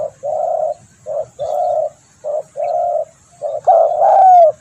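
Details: Spotted dove call for luring birds: soft hollow coos in pairs, a brief note followed by a longer one, ending with a louder, slightly falling drawn-out coo.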